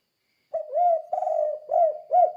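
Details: Spotted dove, tekukur, in "kuk 2" style to train other doves to sing: a run of four mellow coos, the second one long and throaty, closely spaced over under two seconds.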